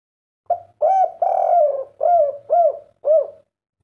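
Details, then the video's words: Spotted dove of the kuk 3 style, replying straight away to a played master recording with one phrase: a soft lead-in, a long wavering coo, then three clipped, arched hoots in quick succession, with no other sounds. "langsung nyaut & bunyi dengan masteran derkuku kuk 3 ini"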